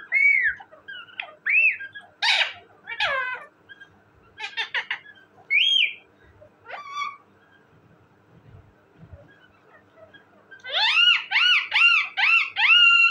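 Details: Talking parrot mixing clear whistles, a few rasping bursts and chattering notes, ending with a fast series of five or six looping, rising-falling whistled phrases.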